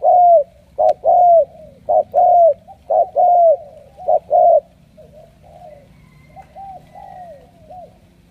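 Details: Spotted dove, wild-caught and chosen as a strong cooer, bound for Hải Dương, Vietnam. A strong burst of short and drawn-out coos is followed by quieter, wavering falling coos.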